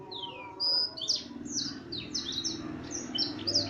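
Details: A black-throat-tutored F1 canary sings a fast, high run of bright chirps, sweeps and trills, varied phrase after phrase, over a low steady background hum.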